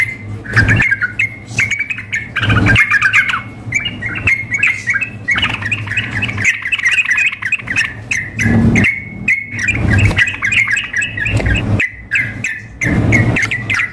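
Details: A sooty-headed bulbul female calling the male, plus a male agitated as in a singing contest: long stretches of rapid chattering notes, repeatedly interrupted by heavy low thuds and rumble.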